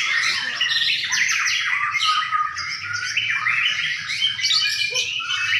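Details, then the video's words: White-rumped shama singing at a bird singing contest in Sidareja, Indonesia: dense, continuous run of loud whistled and chattering phrases, jumping rapidly between notes, with overlapping birdsong throughout and a faint low hum beneath. "masteran murai batu di Gantangan"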